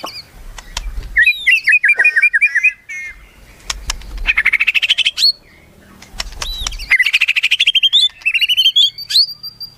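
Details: White-rumped shama singing a varied song: rapid runs of rising whistled notes near the upper-middle pitch, separated by short pauses, with sharp clicks and low thumping knocks in the background.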